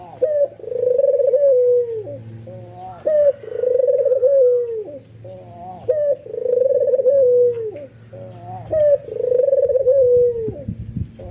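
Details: Albino white ringneck dove in full nodding display, cooing excitedly to lure other doves into calling. Four rolling coos about every three seconds, each with a brief lead-in note and a falling tail, with a low hum underneath.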